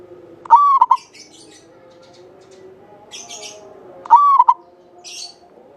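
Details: Zebra dove from Java, a local bird singing freely with a long, clear tone, kept to prompt other doves. Two phrases about three and a half seconds apart, each a rising whistled coo with trailing stutters, with soft high chirping between.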